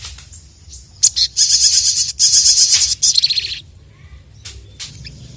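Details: Crested jay, known locally as sogon or sogok ontong, calling excitedly to challenge rivals: short high sweeps, then loud dense metallic rattles in two long bursts around the middle, trailing into fainter notes.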